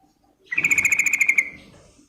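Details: Female yellow-vented bulbul calling a male: one fast, even trill of about a dozen rapid chirping pulses, lasting roughly one second, over a faint low hum.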